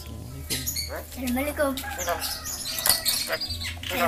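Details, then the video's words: Yellow-eyed Javan myna imitating human voice and words; several gliding, harmonic speech-like syllables in quick succession, some rising and falling, over a low steady hum. "Jalak kebo mata kuning ngomong kabib batuk,salam,piro,tuku pulsa."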